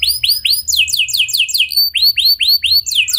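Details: Canary in clear rolling song meant to prompt other canaries: a run of high, downward-curving swept notes, rapid and overlapping at first, then spaced about three a second.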